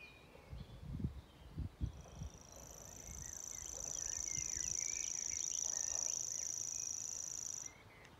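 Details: A grasshopper warbler reels in Maridalen, Oslo, on 1 June 2022: a high, dry, insect-like trill held steadily for about five seconds, with other birds chirping faintly and a few low thumps at the start.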